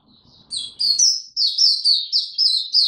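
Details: Oriental white-eye kept in a cage, opening into tiong aw song on 25 January 2022: after a soft lead-in, loud rapid high-pitched warbling phrases follow one another without pause.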